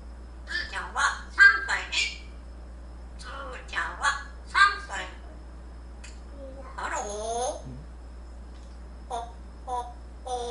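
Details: A pet grey parrot (Psittacus erithacus), hatched 10 July 2014, "gives a singing lesson" to its owner indoors: voice-like sung syllables in short bursts, then a long wavering whistled slide that falls away, a few clipped notes after, in a quiet room.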